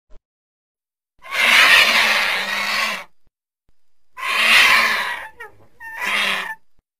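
A cinereous vulture gives three harsh, raspy, hissing bursts. The first two last one to two seconds and the last is shorter, with brief quiet gaps between them.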